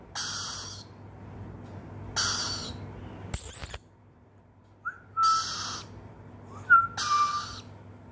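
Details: A Swainson's lorikeet chick responds when called, giving harsh, raspy screeches in short bursts about every two seconds, answering a person who calls to it with brief rising whistled tones.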